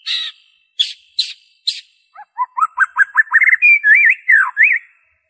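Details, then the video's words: White-rumped shama song for prompting captive birds to sing: a few high sharp notes, then an accelerating series of rising whistles climbing in pitch into rich warbled, wavering phrases. "PANCINGAN SUARA MURAI BATU ORIGINAL TANPA ISIAN"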